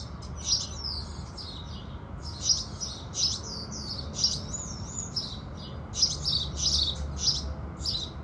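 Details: House sparrows chirping at sunrise, busy bright notes, with a clear sliding whistle weaving through the middle and a faint low rumble behind.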